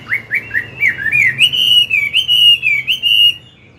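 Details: Mature Chinese hwamei giving forest-style morning song used to stimulate a young bird, a fast stream of bright slurred whistles rising in pitch, then a level sustained trilling phrase before falling silent.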